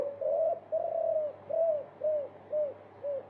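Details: Spotted dove multi-coo ('multi kuk') training song for caged birds: six mellow, arched coo notes repeated about twice a second, with the first notes drawn out longer, over a faint low hum.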